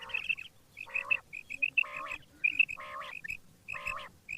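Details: A quail calls in the morning in harsh, nasal bursts about once a second, interleaved with short bright whistled notes, against a faint low rumble.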